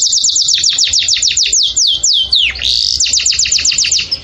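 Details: Canary in breeding excitement, its song aimed at stimulating mating: a long fast string of high downward-sliding whistles, one deeper swoop midway, then the quick whistled series resumes.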